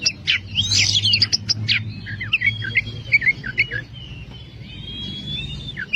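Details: Kacer, the oriental magpie-robin, in full 'gacor nembak' song meant to rouse birds that rarely sing: fast sharp chips and trills giving way to clear, level and gently sliding whistles, over a low continuous hum.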